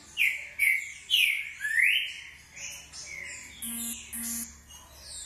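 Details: Green-winged saltator giving its short song: loud, clear whistled notes that slur up and down in quick succession over the first two seconds. Fainter birdsong continues behind it, along with a few low, buzzy tones.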